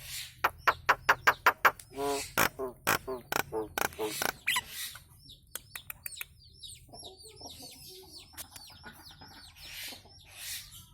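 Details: Nias hill myna calling, recorded to train cage birds. A rapid series of sharp clicking notes is followed by loud buzzy harmonic calls and scattered harsh bursts. Many faint high chirps from other birds fill the second half.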